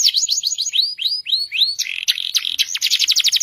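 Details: Canary in continuous masteran song: a few fast sweeps, five slow upward-curving whistles at even spacing, then a harsh buzzy chatter and rapid high trill.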